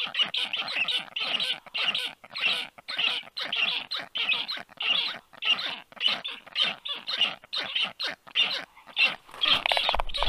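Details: At a black stork nest on 4 July 2022, around 1:30 p.m., young storks beg after a stranger stork lands overhead: grating, hoarse calls tumbling in quick, uneven succession, about 105 per minute.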